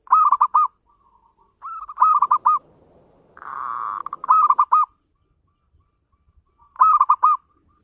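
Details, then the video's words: Local zebra dove in lively fast 'ngayer engkel' song to draw other doves into singing: crisp rolling coo phrases repeated every two seconds or so, with one short rushing noise in the middle. "Suara perkutut lokal gacor ngayer engkel cepat mengajak gacor ampuh buat pancingan"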